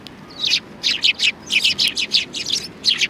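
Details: Sparrows crowded on a bench at Tenmangu shrine, 30 January 2020, keep up a steady, busy chatter of high, slightly buzzy chirps, roughly four per second, with little else heard.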